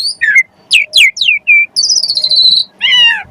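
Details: Javan pied starling song recorded as training material for kept magpie-robins: descending whistled slurs, a flat whistle, a buzzy high trill and a final harsh, stacked, falling note.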